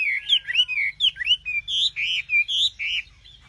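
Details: Nightingale song of clear, rounded whistled notes, some rising, some falling, delivered in quick succession and ending in a string of fuller, evenly spaced notes.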